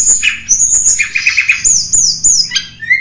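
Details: Snowy-browed flycatcher song used as a lure for wild birds: high thin whistles near the top of the range alternate with a short rapid trill of lower notes, ending in a falling slur and a brief low whistle.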